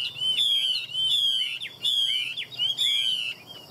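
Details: Chinese hwamei sings loud, high whistled phrases. Each is a sustained ringing note followed by quick slurs, repeated roughly every second.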